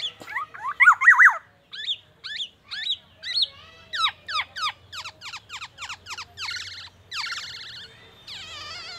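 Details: A black-naped oriole delivers song imitating oriental magpie-robin and ambulance siren sounds: a loud tumbling whistled phrase, then spaced clear notes speeding into rapid chips, ending with a wavering, trilled whistle.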